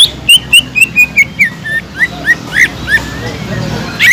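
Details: Greater green leafbird singing to provoke unresponsive leafbirds: a long sequence of fast whistled notes slowly falling in pitch, a few softer rising whistles, and faint background hum.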